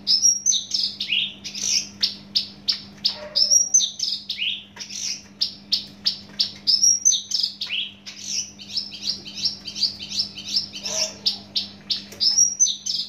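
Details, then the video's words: Javan bush lark, a caged bird from Java, singing a fast, loud, varied song: rapid chirps and whistled notes repeated in bursts, with sweeping high notes and a steady low hum behind. "branjangan javanica asli jawa volume dan spedd edan mantap"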